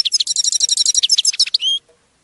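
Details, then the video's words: European goldfinch singing to teach captive birds: a fast, even string of tinkling twittered notes, about fifteen in under two seconds, ending in a drawn-out buzzy note. "Canto de jilguero para educar /Goldfinch singing /Chant du Chardonnet Élegant"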